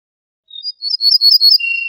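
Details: Ortolan bunting, locally al-bouh al-fassi, singing: a soft lead-in note, a run of loud, ringing high notes, then a lower steady tone that is cut off at the end. Nothing else audible.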